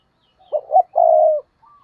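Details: Spotted dove kept as a decoy bird, calling to draw in wild doves: one clear phrase of two quick throaty coos followed by a longer level coo, in a quiet background.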